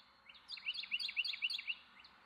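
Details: Carolina wren delivering a loud, rich song of rapidly repeated rolling phrases, about six in a second and a half, bright and chanting, over a quiet background.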